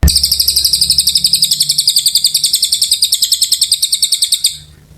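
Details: Oriental white-eye singing a long, continuous song for magpie-robin tutoring: a rapid, high, buzzy trill of steadily repeated notes lasting over four seconds before trailing off.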